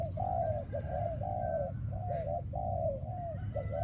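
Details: Decoy spotted dove cooing during trapping, a run of mellow, level coos joined by quick short notes, set against a steady rumble of background noise.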